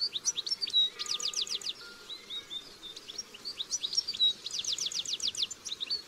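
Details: Wild, free-living European goldfinches (Carduelis carduelis) singing bright, liquid twittering in two bursts of fast, sliding tinkling notes with a few thin whistles, against soft background hiss.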